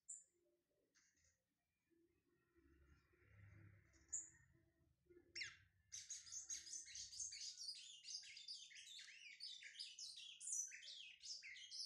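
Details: Kept Lined Seedeater with brown plumage, being warmed up: scattered faint high notes at first, then from about six seconds a sustained fast chattering song of rapid, scratchy high syllables.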